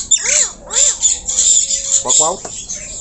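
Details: Javan myna (jalak kebo, white-eyed) in full song while perched low: two arching harmonic squawks, a thin level whistle held for about a second, then a quick stuttering burst of chatter.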